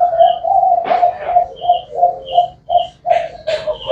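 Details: Spotted dove cooing: low, soft, hollow notes repeated in a steady rhythm, with brief higher chirps and bursts of other noise between them.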